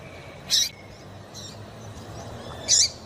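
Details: Female double-collared seedeater calling to excite a male, a call valued by keepers who enter singing seedeaters in tournaments. Two brief, high, sharp notes about two seconds apart, with faint softer chips between over low background hum.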